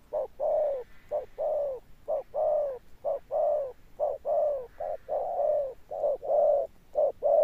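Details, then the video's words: Thunder-tone cooing of a decoy spotted dove, sustained to the end. Low resonant coos alternate short and long in a near-continuous rhythm, about a note per second, with no gaps. "Cọp Đẹp Như Tranh, Gù Âm Sấm_ Nước Tiền Bổi kèm dậm nghe chỉ có phê. Gù Hậu Bền Bỉ"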